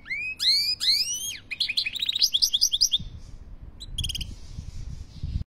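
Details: Goldfinch song opening with paired rising whistles, then quick chattering trills and a brief buzzy burst before the singing fades, leaving low rumbling background noise.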